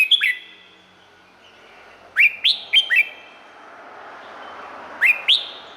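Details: Red-whiskered bulbul in Thailand, song intended for playing to other bulbuls to excite or tutor them: short bright phrases of two or three quick rising whistled notes, separated by pauses of about two seconds, over quiet background hiss.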